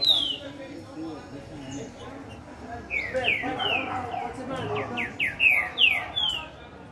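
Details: Green-winged Saltator singing: a run of loud, clear, downward-slurred whistles, quickening toward the end, over a faint background murmur.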